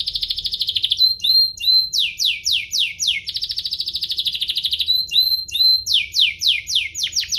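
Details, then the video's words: Domestic canary, Serinus canaria domestica, singing to provoke other canaries into song: high rapid trills alternating with series of quick descending whistled sweeps, the pattern repeating twice, bright and continuous. "Pancingan kenari biar gacor"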